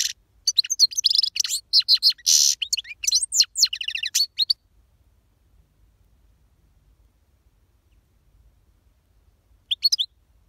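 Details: A European goldfinch sings strongly, delivering a four-and-a-half-second stream of quick tinkling chirps and buzzy trills, then falls silent for about five seconds before a brief closing twitter.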